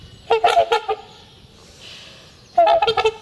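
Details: Courting trumpeter swan pair calling in spring to renew their bond and mark territory; a burst of five brassy, honking notes, a pause with soft background hiss, then another rapid honking run.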